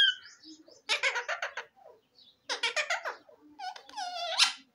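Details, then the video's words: Parrots talking indoors: rasping, syllable-like bursts in runs of four or five, then a higher whistled, rising squeal at the end. "Parrots talking very sweet and sweet"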